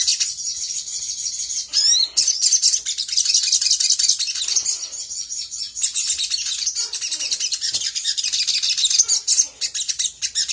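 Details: Sooty-headed bulbul song played as bait to make other birds reply: a long, shrill, continuous twittering stream with a few quick upward sweeps and small gaps.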